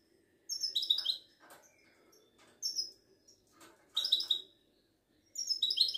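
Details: Moroccan Widani goldfinch, a kept songbird, singing high jangling twittering phrases in four bursts, each about half a second long with short pauses between them.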